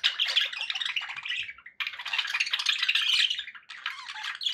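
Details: Loud, nearly unbroken budgie warbling from pet birds: grating, buzzy chatter in two long bursts separated by a short gap, then a third burst.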